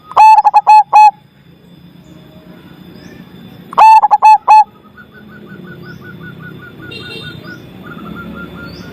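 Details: Strong-voiced zebra dove, whose song is meant to restart silent doves: two bursts of short, loud, mellow coos a few seconds apart, followed by a soft run of fast, evenly spaced higher notes.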